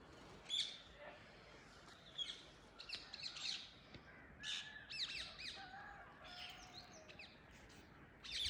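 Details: Free-flying wild Indian ringneck parakeets perched in a tree at early morning, giving a busy run of shrill, squawking screeches, many overlapping and irregular, from several birds at once, with a quiet outdoor background.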